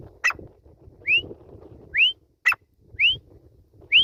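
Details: Grey francolin calling in quick succession: rising whistled slurs roughly every 0.9 seconds, alternating with sharp click-like notes, over a low murmuring background.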